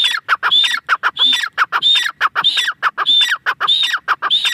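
A grey francolin calls loudly in quick repeated phrases, each a harsh note climbing into a shrill, ringing whistle, about one and a half per second.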